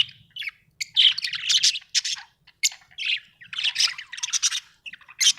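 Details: Happy budgerigar chirping: dense, buzzy warbled chatter with squeaky chirps in short bursts and brief pauses, quiet background.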